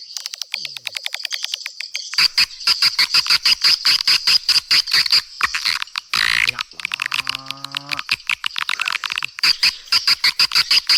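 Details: Swiftlet lure call played to attract swiftlets: dense, loud, sharp chirps repeated rapidly and almost without pause, high and buzzy, with a brief burst of broadband noise midway and a faint tonal sweep afterward.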